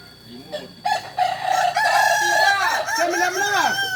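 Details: During a group training session in Ampang Kualo, Solok city, West Sumatra, a Kokok Balenggek rooster launches a long crow after a quiet start, a sustained strong note breaking into a chain of rising and falling arched syllables.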